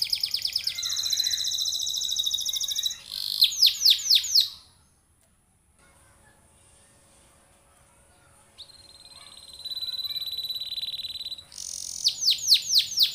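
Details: Canary lure song for coaxing other canaries into singing: a fast high rattling trill, a burst of steep downslurred whistles, a pause, then a long steady buzzy trill and more downslurred notes at the end.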